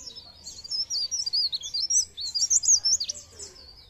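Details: Pare pare bird song played to encourage other birds to sing: a steady run of bright, high, twisting warble notes repeated in quick succession, dense and energetic throughout.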